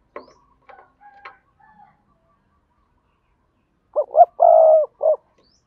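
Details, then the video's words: Spotted dove decoy, Đồng Nai, Vietnam, cooing in giọng đôi style to call in wild birds: scattered faint notes, then one firm phrase of two rising hoots, a long level coo and a short final note. "Tiếng chim cu gáy mồi kích bổi gáy gọi giọng đôi/ chim cu gáy đồng nai"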